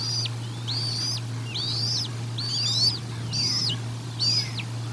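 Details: A bald eagle calls repeatedly at the Decorah North nest during a feeding, dated 04 01 2022. Six high, piping, arched whistles, some doubled, come at a steady pace of more than one per second, over a faint hum and rustling.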